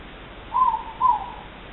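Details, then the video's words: Two-note hoot of a morepork, also called ruru, with two birds present, recorded 3 August 2014; a rising-then-falling first note followed by a softer, lower second note, clear against faint background hiss. "The Sound of 2 Moreporks (Ruru)"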